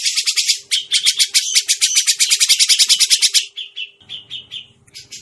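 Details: Grey-cheeked bulbul call used as a trapping lure: three and a half seconds of quick rasping chatter with a tonal thread inside, then softer spaced notes, a low rumbling noise and steady hum in the background.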